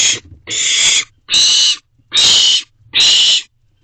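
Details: Owlets perched at their box at night, June 2023: a string of five breathy, noisy screeches, each lasting about half a second, in a fairly even beat.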